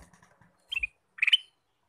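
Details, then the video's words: Ruby-throated bulbul singing, two brief bright phrases of quick slurred notes, each a little cluster lasting about a quarter second, separated by a short pause, with faint low rumbles at the start. "Kicau Burung Kutilang Emas: Gacor Sepanjang hari"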